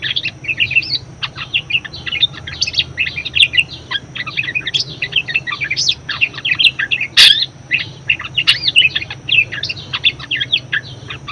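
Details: Budgerigar in full song, meant for training other birds to sing; continuous busy warble of chirps, squeaks and buzzy trills with occasional sharp clicks throughout.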